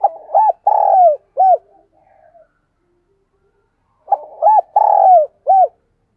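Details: Decoy dove cooing and crowing to call wild doves: two matching low phrases a few seconds apart, each with quick arched notes, a long buzzy middle note and a closing coo.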